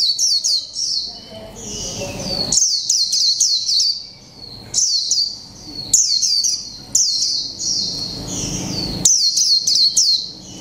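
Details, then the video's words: Caged Japanese white-eye of mộc tinh type, one month in the cage, sings líu pha chòe trống style: repeated bursts of high, rapid downward-sweeping notes separated by short silences, continuing over ten seconds. "chim khuyên mộc tinh 1 tháng lồng '' LÍU PHA CHÒE TRỐNG '' cực hay"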